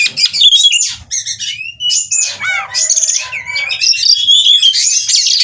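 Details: Oriental magpie-robin in breeding condition sings a lively medley of chirps, rising whistles, rattling trills and looping notes, almost without pause across several seconds.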